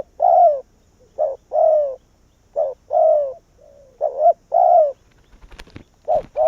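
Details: Spotted dove kept as a Vietnamese decoy, cooing to pull wild doves onto its tree. Paired coos repeat steadily, short then long and falling, with a brief rustle or knock near the end.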